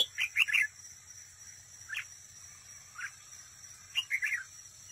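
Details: Decoy red-whiskered bulbul singing competitively at a trap: a brisk burst of warbling notes, then single slurred chirps every second or so, ending in another short lively phrase; steady high hiss throughout.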